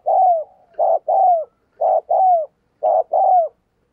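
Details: Rapid series of spotted dove coos from a decoy bird meant to encourage other doves: about four mellow phrases, each a short hoot and a drawn-out descending coo, about one per second.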